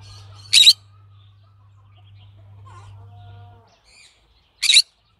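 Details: Harsh, scratchy screeches from a green-cheeked conure, two loud bursts about four seconds apart with soft murmuring notes between, over a low steady hum that stops near the end.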